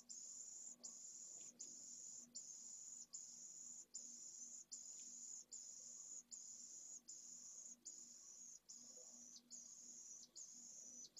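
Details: Pallid swift chick at nest N1 in a school building colony in Jerez de la Frontera, Spain, being fed by its mother. Around twelve even, high-pitched hissing buzzes, each under a second, separated by short pauses.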